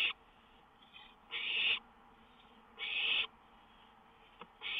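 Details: Owl at a nighttime lookout, May 19, 2013, songbird close by; three drawn-out harsh hisses about one and a half seconds apart, plus a faint click and the start of another hiss at the end.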